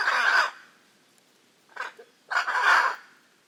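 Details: Hyacinth macaw from the Pantanal region of Brazil, giving three raucous, harsh squawks: a long burst, a short broken one after a pause, then another long grating call.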